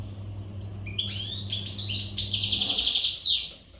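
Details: Untutored Western goldfinch singing strongly in breeding readiness: rising and falling chirps build into a dense, fast, tinkling twitter with buzzy trilled passages, ending abruptly; low mains hum runs underneath.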